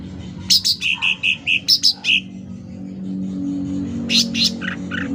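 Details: Actively singing sooty-headed bulbul, loud lure and tutoring recording: a rapid run of about ten clipped notes alternating high and mid pitch, a pause, then a pair of high whistles and two buzzy lower notes, with a constant low hum.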